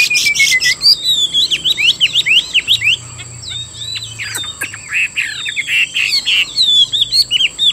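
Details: Vietnamese cage-bird Chinese hwamei pouring out a long, rich song of rapid whistled notes and zigzag trills, briefly dropping to scratchy chatter midway before resuming fast, looping whistles.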